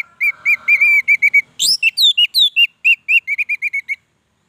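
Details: Orange-headed thrush in full, continuous song: a steady string of rapid whistled notes at one pitch, broken by a burst of harsher, higher rising phrases, then more quickening repeated whistles. A faint low hum sits under the opening.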